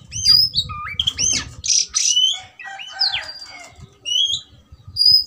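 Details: Oriental magpie-robin, riled up to fight, gives rising whistled notes and harsh buzzy bursts over low rustling and thumping sounds.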